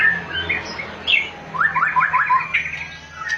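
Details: Oriental magpie-robin (binla) song: a clear whistled phrase, then a fast run of short descending notes repeated about five times, with steady low background hum.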